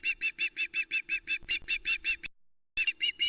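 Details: ['Young Osprey, last of three chicks left on the Loch Arkaig nest, 1 September 2020. She squawks over a large trout her father delivered. A rapid run of evenly spaced, piercing, high calls breaks off briefly, then resumes.']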